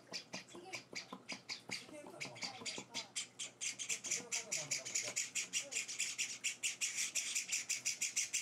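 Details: Pet Java sparrow chicks, several young birds on their fourth day at home, beg during hand-feeding. Their harsh, high chips speed up into a steady, insistent run that grows louder toward the end, with faint speech early on.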